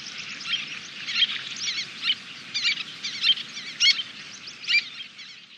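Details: Little terns at a Kobe nesting site, June 2016, fledglings near adult size taking flight among about a dozen birds: continuous overlapping shrill, wavering calls, rapid and irregular, with louder sharp notes standing out.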